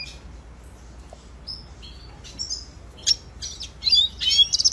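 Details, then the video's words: Red siskin, Spinus cucullatus, in a training song: scattered thin high whistles and short slurred notes over quiet background, becoming louder with crackly twittering bursts in the last second and a half. "Red Siskin Singing Training Song - Canto Pintassilgo venezuelano"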